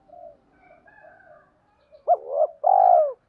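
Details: Spotted dove kept as a lure bird, calling to entice wild ones: faint soft notes at first, then a loud coo with a quick rising start followed by a long, steady, mellow note.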